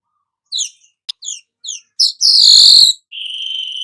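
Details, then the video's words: Golden-headed weaver singing, suited for tutoring songbirds: a series of short high chirps and ticks, then a loud hissing buzz and a steady thin whistled tone. "suara manyar kepala emas cocok buat Masteran"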